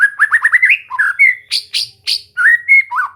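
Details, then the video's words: White-rumped shama (murai batu) trained to sing continuously: a quick trill of rising whistled notes, then louder, fuller bursts and smooth slurred whistles, delivered almost without pause. "Latihan santai untuk murai batu AGAR MAU BUNYI dan GACOR"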